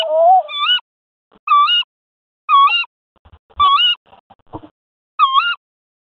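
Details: Tawny owls during courtship as the male delivers a mouse to the female in the nest box; five harsh, nasal calls, each about a third of a second, bending up at the end and spaced about a second apart, with soft knocks and scrapes between.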